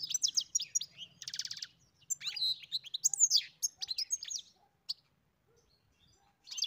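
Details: European goldfinch song with high twitters, a harsh buzzy rattle, and sweet slurred whistles, over a faint low hum. A short pause follows before the twittering resumes.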